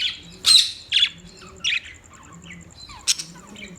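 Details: Budgerigar giving loud, harsh squawks and sharp chirps, a few strong calls followed by softer, warbling twitters in a quiet indoor setting.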